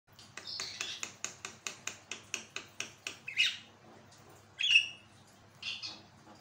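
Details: Javan myna in full, active song, a recording used as a tutor to train and prompt other birds to sing: a fast run of about a dozen harsh, dry clicking notes, then two loud scratchy squawks and a final rasp.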